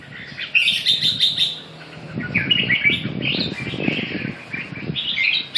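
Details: Red-whiskered bulbul singing: bright warbled phrases of slurred whistles between about 2 and 4k, in bursts separated by short pauses, with low thumps and knocks underneath.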